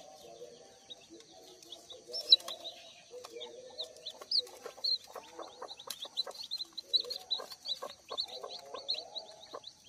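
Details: Freshly hatched one-day-old native village chicks, gathered as a hatch on a small farm. Clear, high, short descending peeps pour out rapidly from many chicks at once, mixed with light clicking and soft lower chirps.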